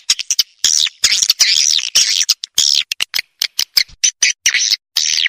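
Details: Swiftlet attraction call, used widely including deep forest areas with swiftlet houses; choppy bursts of high, wavering twitters and chirps, each a fraction of a second, separated by brief gaps.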